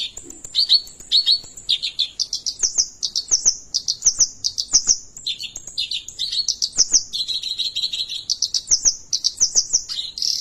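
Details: Kerak basi alis putih, a white-browed Oriental reed warbler, sustaining its gacor ngerol rolling song: grating churrs alternating with high squeaky and whistled notes, repeated in quick bursts several times each second.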